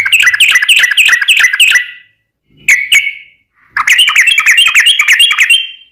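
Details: Yellow-vented bulbul (trucukan) singing actively, used as a lure sound for other birds: two bursts of rapid bubbly chattering notes with a short clipped call between them, loud and close.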